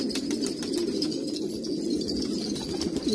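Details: Pure-bred pigeons from Kabul, Afghanistan, coo over one another; several short rising and falling coo phrases stand out above a low steady murmur, with faint tapping sounds.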